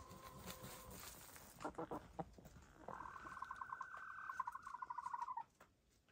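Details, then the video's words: Hens of grey, lavender, blue and black plumage dust bathing together; after a few short clucks, one bird gives a long, even, pulsed trill lasting over two seconds before stopping abruptly, with dirt rustling beneath. "Silly Hens Make Super Sweet Noises While Taking a Dust Bath"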